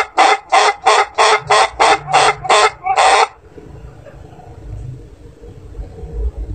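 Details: An Ayam Ketawa rooster, an Indonesian laughing breed prized for long crows, ends its crow with nine loud, rhythmic laugh-like pulses over three seconds, then falls silent, leaving low background rumble.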